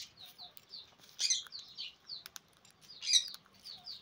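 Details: Sun conure breeder pair before the 2024/2025 breeding season, captive; repeated short high chirps and a few louder harsh screeches, with soft fluttering noises between calls.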